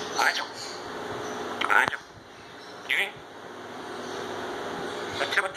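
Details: A pet grey parrot named Kiwi talks, saying "Ya Allah" and more, in short word-like bursts with a bright, slightly nasal voice, spaced a second or so apart, over a faint steady room hum.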